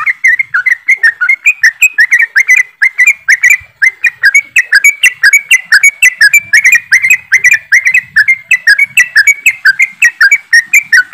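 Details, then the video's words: Many yellow-vented bulbuls chattering rapidly in 'ropelan' style as a singing lure, a continuous stream of sharp, bubbly, slightly rising and falling chirps, several per second, in a quiet background. "TRUCUKAN ombyokan,TRUCUKAN ROPELAN untuk bahan cepat bunyi"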